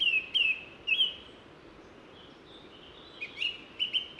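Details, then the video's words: Song thrush heard from a hiking path in the Ossau valley, Pyrenees, France, on a sunny day: two bright whistled notes repeated, a quiet pause, then a burst of higher, fluttering whistled phrases. "L'oiseau que vous venez d'entendre, c'est la grive musicienne."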